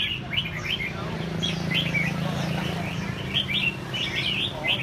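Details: Red-whiskered bulbul singing during training: repeated short, lilting chirp phrases over a low droning hum, with faint voices in the background.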